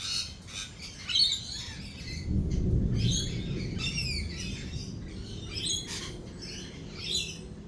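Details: Lorikeets at a lorikeet cafe keep up shrill, screechy chatter in rapid bursts during a thunder and lightning storm, with a low roll of thunder rumbling underneath.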